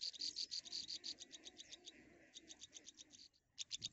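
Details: Nestlings, three in one nest, calling while they wait for the mother to return with food: rapid strings of shrill, high peeps, loudest at the start, briefly pausing before a final burst.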